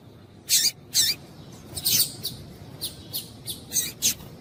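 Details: A female Double-collared Seedeater gives about nine short, sharp, high chips at an uneven pace, roughly two or three per second, over a faint hiss, calling to stimulate a male to sing.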